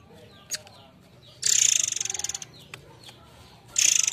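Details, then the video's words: Murai Air singing, a recording used to lure the species: a long, harsh, rapidly pulsed high-pitched burst lasting about a second, a short click before it, and another burst starting at the end. "Ocehan burung Murai Air"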